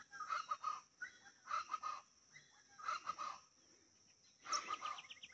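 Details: Chachalaca calling near a mountain village by a phone antenna, said to be the male singing; eggs laid April–May. Harsh, raucous rhythmic bursts, four loud phrases of about a second each, repeating every second or so, faint background rustle.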